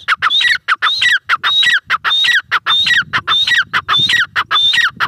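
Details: Grey francolin calling loudly: harsh repeated phrases, each a short broad note followed by a high whistled rising-then-falling element, roughly two phrases per second in a steady rhythm across the whole clip.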